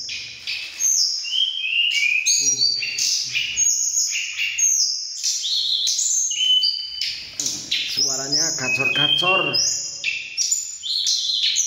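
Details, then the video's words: Mountain flycatchers (tledekan gunung) in a heated vocal contest on meeting, each agitated: rapid high, thin whistled phrases from more than one bird with many quick falling slurs; a brief human voice murmurs underneath. "BURUNG TLEDEKAN PENUH EMOSI"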